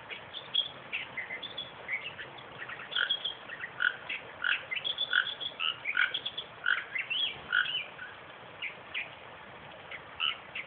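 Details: Western reed warbler, filmed in a suburban park 20 km south of Perth, delivering a long, busy chattering song of repeated harsh notes, rattles and short whistled inflections that run almost without pause.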